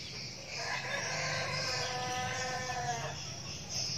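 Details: Young red junglefowl kept as a decoy bird in Vietnam gives a single hoarse, rich crow of about two and a half seconds, its tone held fairly level before breaking off, over a constant shrill insect chorus.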